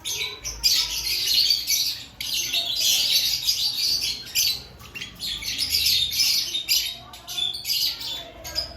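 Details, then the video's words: Lovebird activity before the breeding season, many birds together: long stretches of piercing, scratchy chattering broken by short pauses, full of quick, high chirps. "Before breeding season Check your love Bird activity"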